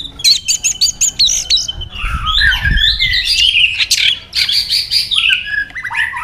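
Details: White-rumped shama stirred to competitive singing: rapid sharp chips followed by a dense jumble of loud harsh and whistled notes, with low thumps behind.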